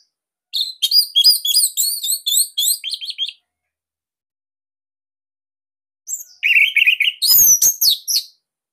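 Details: Captive Bali orange-headed thrush singing a master song meant to prompt young or silent birds to sing, with a unique, tight and loud style: a rapid, sustained run of high, varied whistled notes, a silent gap, then another busy, squeaky phrase.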